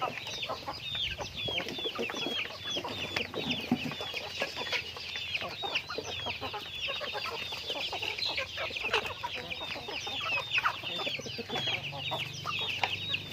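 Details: Chickens going about their daily activity: a dense, continuous chatter of many overlapping short clucks and squeaky chirps from a flock, with a steady low hum underneath.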